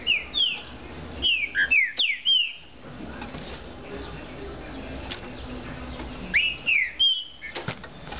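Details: Green-winged saltator of the fibra type in a cage sings fast phrases of loud, clear whistles, each dropping in pitch, with a brief hush between the phrases.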